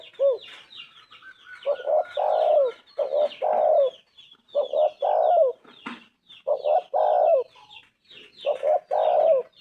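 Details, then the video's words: Spotted Dove (tekukur) giving its 'anggungan' coo song, low mellow phrases of two or three notes repeated about every one and a half seconds, with thin high chirps of small birds twittering behind. "Tekukur gacor suara emas"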